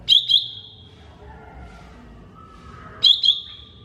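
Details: Greater green leafbird, mini type, on a songbird training track: two loud doubled chips, each sliding into a level high whistle, separated by about three seconds of soft lower notes.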